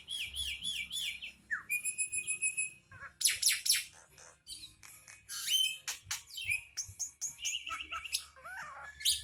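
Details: Starling song full of variety: wavering whistles, steady high tones, buzzy and rattling bursts and quick chips, mixed in rapid, changing phrases.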